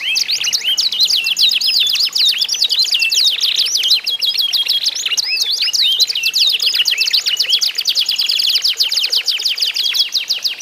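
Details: Canary (kenari isian) song in a singing contest, used as sound therapy to prompt other canaries to sing; dense, continuous high trills and rapid chirps with sweeping whistled notes, several birds overlapping without pause.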